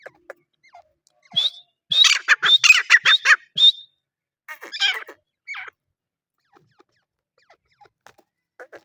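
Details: A grey francolin, the desi teetar, starts with a single note, then gives a loud rapid series of shrill, squeaky rising calls for about two seconds, a few softer notes, and quiet clicks afterward.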